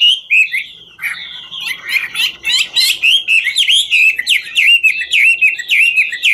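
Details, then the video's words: A hwamei, Garrulax canorus, known as a 'ngũ trường' singer, performs a dancing display: a short whistle, a pause, then a busy stream of sharp, downslurred whistled notes quickening toward the end. "Họa mi ngũ trường hót múa cực chất"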